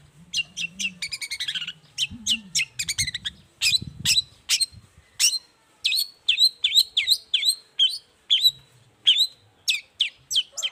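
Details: Long-tailed shrike singing energetically in the morning, used as a lure to make quiet shrikes answer; rapid sharp high chirps and buzzy rattling bursts, varied notes in quick succession, with faint low rumbling in the background.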